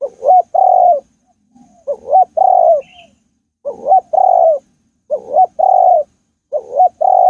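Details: Spotted dove calling in a forest: low, mellow two-part coos, a short rising note then a longer steady hoot, repeated in five phrases roughly every one and a half seconds, with a brief faint chirp from another bird.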